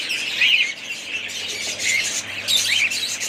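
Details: A family group of budgerigars chattering together: dense, continuous high warbling and chirping with a few clear upward and downward whistled notes standing out above the chorus.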